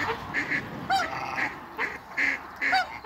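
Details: Mature African goose pair in a backyard among waterbirds giving rhythmic nasal honks roughly every half second, with quieter clucking calls underneath.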